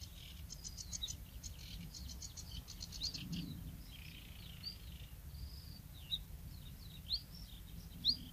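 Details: Bluethroat singing at Woumen in 2018: rapid clicking trills and buzzy rattles, then whistled rising and falling notes and sharp high slurs, distant over steady low rumble.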